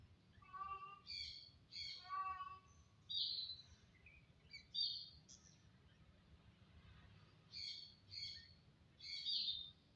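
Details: Starling in song, a varied run of clear whistled and slightly buzzy phrases, some low warbled notes followed by higher bright bursts, delivered in separate bouts every second or so over a faint low hum.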